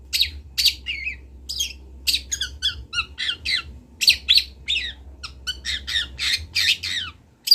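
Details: Local long-tailed shrike from Kendal, Indonesia, kept as a cage bird, sings a master recording for training other birds: harsh squawks mixed with high whistled and buzzy notes, rapid varied phrases, faint low hum behind.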